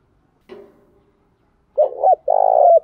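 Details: Spotted dove decoy cooing in the morning to provoke males: a faint low note, a pause, then a double note and a sustained mellow coo.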